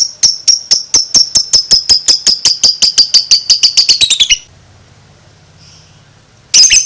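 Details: A two-month-old lovebird chatters in ngekek style, a run of about twenty-five shrill notes that speed up and drop in pitch over four seconds, then silence and a closing harsh squawk.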